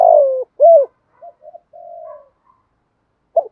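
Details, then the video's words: Spotted dove kept as a decoy for luring wild birds, giving a loud falling coo and an arched coo, then soft murmured notes, a quiet drawn-out coo and one final short note. "tiếng chim cu đất kích bổi nhanh nổi gù, cu gáy bài bản giọng hợp bổi"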